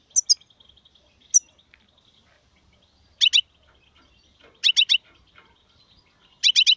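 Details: European goldfinch singing in styles locally named sarfati, gzrati and tsersir: short clusters of two to four sharp, high, ringing notes separated by pauses of over a second, against a thin continuous high tone.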